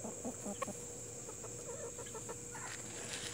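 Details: Soft, low clucks from Plymouth Rock and Hamburg chickens, scattered through the recording, with a few brief higher notes near the end above a continuous high hiss.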